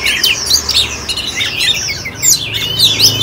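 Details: Oriental magpie-robin, a cage bird in Ho Chi Minh City, Vietnam, singing loud overlapping whistles and sweeping chirps with some harsher notes.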